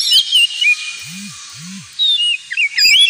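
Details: Kacer (Oriental magpie-robin) ngemplong song for pet-bird therapy: short bursts of high whistled notes at the start and end, with a quiet stretch holding two low arched sounds between.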